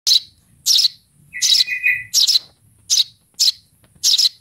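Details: Baby Eurasian tree sparrow calling for its mother: sharp, high chirps repeated about every half second, with a lower buzzy, drawn-out note in the middle of the sequence.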